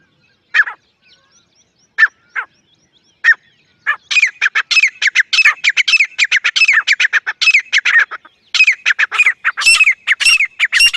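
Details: Dakhni teetar, a partridge: a few separate short notes first, then a fast, harsh, continuous run of hooked, repeated calls that keeps building for about seven seconds.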